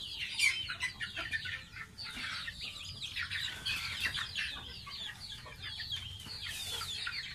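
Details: Bathing baby domestic goose kept as a pet: rapid high-pitched chirping peeps, some rising then falling, run almost without pause, with a brief hissing splash-like burst near the end.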